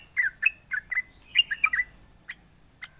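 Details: Sooty-headed bulbul in lively voice taunting rivals: a quick cluster of bubbly, slurred notes, then two faint isolated chirps. A steady high insect hum continues.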